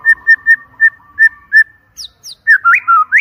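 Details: White-rumped shama song used as a lure to trigger singing: a run of clear whistled notes repeated about five times a second, then high sliding whistles and rising, warbling phrases.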